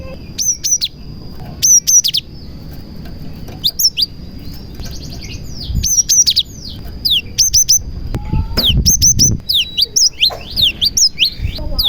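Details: A cinereous tit sings a song filled with prinia imitations, used to lure other tits and get them singing. Bursts of high, sharp chirps and quick down-slurred whistles repeat, over a steady thin whine and low background rumble.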